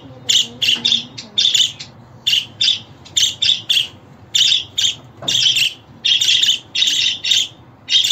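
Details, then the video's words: Budgerigar chatter made of quick raspy chirps in clusters, nearly continuous across eight seconds, with a faint low tone early on. "Muhabbet Kuşu Sesi, Kuşunuz Kesin Ötecek, Karşılık Verecek, Muhabbet Kuşu Çağırma Sesi!"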